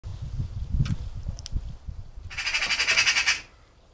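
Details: Wild Eurasian magpie in a UK garden where birds are fed, the mate of a feeder-visiting magpie, shouting a harsh, rapid rattling chatter of about ten pulses near the end, after low rumbling handling noise and two faint clicks.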